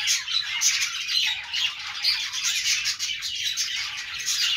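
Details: Budgerigars chirping and squawking in a constant, rasping babble, with sharp high notes scattered over a dense warbled background.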